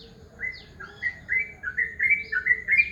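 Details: Yellow-vented bulbul calling in the morning with short liquid phrases of two or three notes, repeated roughly every half second in a steady, bubbling sequence.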